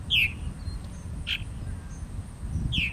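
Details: One of two purple martins at Charles E. Price Memorial Park, Middletown, Delaware, on 28 July 2013 gives two short, slurred downward chirps about 2.5 seconds apart, with a brief burst between, over a steady low rumble.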